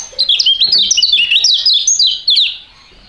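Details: Two young caged contest songbirds with a fighting style, singing together in a duet; dense, high, rapid chirping with swooping and zigzag notes tumbling over each other for about two and a half seconds before stopping abruptly.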